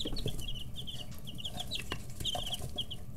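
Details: A brooder of 11–13-day-old chicks, busy pecking and stretching growing wing feathers, peeps continuously in short, high, slightly downslurred notes, many overlapping, with sharp tapping clicks and a low steady hum underneath.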